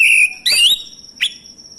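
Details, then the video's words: Male orange-headed thrush, recorded as a lure to get silent birds singing: a clear sustained whistle, then a higher rising slurred phrase and a short upswept note, over a steady thin high whine. "ANIS MACET langsung bunyi Anis merah jantan"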